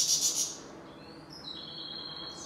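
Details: A European goldfinch, possibly the grey-headed or black-headed form, gives a quick burst of three high, bright chirps, then thin, drawn-out twittering notes, over a faint background hiss.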